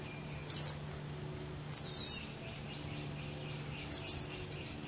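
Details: At least two chestnut-backed chickadee chicks, almost ready to fledge, in a birdhouse at Pleasant Hill, California, April 28, 2013, give very high, thin peeps in quick bursts of two to four notes with pauses, over a soft low hum.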